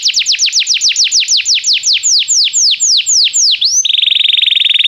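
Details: Belgian canary song used for singing training: a series of clear, sharply descending whistled sweeps repeated about four times a second, ending abruptly in a rapid, buzzy, steady-pitched rolling trill.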